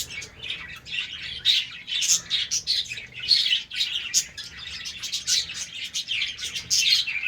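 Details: Colony of budgerigars kept for breeding, heard in the morning: a steady wall of overlapping high chirps, squeaks and warbled notes from many birds, with no pause.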